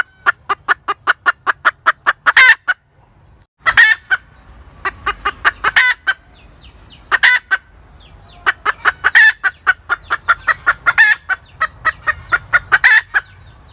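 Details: Cackling hen: long runs of rapid, evenly spaced clucks, building into loud strained squawks and then starting again. Several bouts over about fourteen seconds, with steady low background noise.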